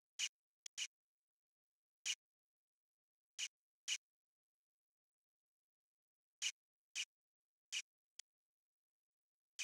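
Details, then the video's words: Variable oriole calling: short, harsh, scratchy notes, single or in quick pairs, spaced irregularly about every half second to three seconds, against a silent background. "ENCONTRO chamando (ICTERUS PYRRHOPTERUS), VARIABLE ORIOLE"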